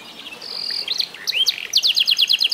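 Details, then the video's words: F1 SF canary aged eight months, tutored with master songs: a thin held whistle, a few looping chirps, then a quick run of clipped repeated notes. "REVIEW HASIL MEMASTER BURUNG KENARI F1SF UMUR 8 BULAN"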